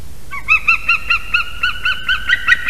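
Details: Female white-tailed eagle at a nest in Durbe, Latvia, crying out at 6:48 am on 12 March 2023 during the morning incubation change, as the male lands on her back: a rapid run of about ten yelping notes over steady background hiss.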